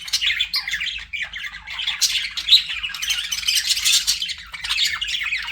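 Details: Budgie song of twittering warbles, squeaks and scratchy notes, varied pitch turns and short whistles over continuous chatter.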